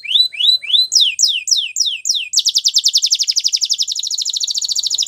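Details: White Belgian canary singing: a few rising slurred notes, then a run of quick down-slurred whistles, breaking into a rapid, even high trill of many repeated notes.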